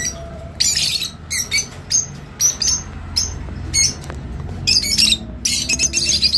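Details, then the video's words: Rosy-faced lovebird song, played to encourage mating: bursts of shrill, high squeaky chirps and chatter in irregular clusters, loud and close, with a faint low hum beneath. "تغريد روز /صوت روز لسرعه التزاوج"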